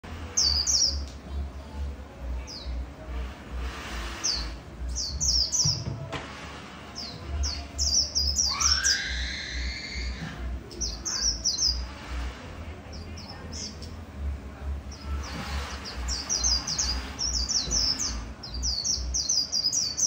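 A white-eye sings high, thin, rapid twittering phrases, repeated in quick bursts over a low rhythmic thumping.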